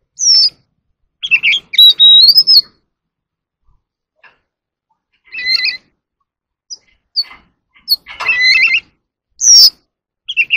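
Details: Oriental magpie-robin, an ornamental bird, in a bout of competitive singing with dancing: separated bursts of whistled and trilled phrases, including one long clear whistle, spaced by short silences over ten seconds.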